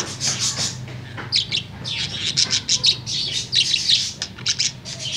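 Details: In the afternoon a tame budgerigar delivers a loud, bright warble: bursts of fast scratchy chirps and high squeaks in quick succession, almost continuous for several seconds.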